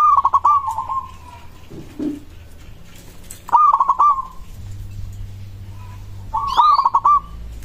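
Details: Cooing song of a local zebra dove, said to prompt other doves to respond at once: three vibrating, stuttered phrases, each trailing into a steady held note, with a soft low murmur and a few clicks between.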